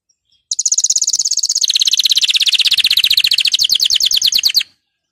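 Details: Canary, played to spur canaries into song, gives one sustained four-second trill of quick, evenly repeated notes that drops to a lower pitch early on and holds steady.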